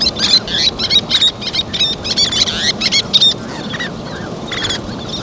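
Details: Least terns calling while playing with and feeding their chicks on a river sand bar; a dense run of high, sharp, squeaky notes, rapid and irregular, with overlapping callers and a low background rumble.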